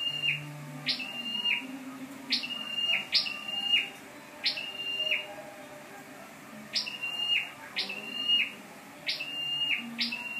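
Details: Scarlet-backed flowerpecker used as a lure bird, recorded 12/10/14: about nine high calls, each a sharp rising tick followed by a thin, flat, high whistle, repeated roughly every second, with faint low background hum.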